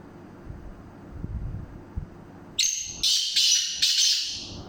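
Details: Sindhi black francolin calling: after quiet, low rumbling background, a loud, harsh, grating series of about four rasping bursts begins abruptly, the notes running close together and fading at the end.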